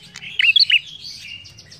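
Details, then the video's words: Short burst from an actively singing ashy tailorbird: three quick, loud, piercing chirps, followed by thinner high twitters, with a soft low hum underneath. "Suara prenjak kepala merah gacor"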